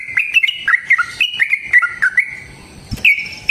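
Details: Yellow-vented bulbul in long, lively fighting song, used as a lure to make other bulbuls sing and answer: quick run of clear whistled notes near one pitch, some slurred down, then a sharp click and a brief high phrase.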